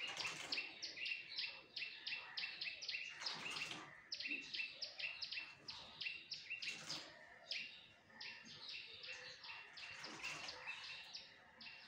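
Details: A common myna (shalik) bathing gives fast, high, repeated chattering notes in steady runs, broken every few seconds by loud bursts of splashing water.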